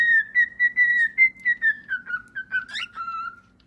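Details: Cockatiel singing a whistled song: a string of clear, pure whistled notes that drift slowly downward in pitch, about one note every half second, with a brief rougher burst near the end.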